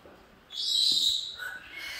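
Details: Pet male galah cockatoo, described as angry and ranting, lets out one loud, harsh, hissing screech of about half a second, then quieter trailing noise, with a woman coaxing him nearby.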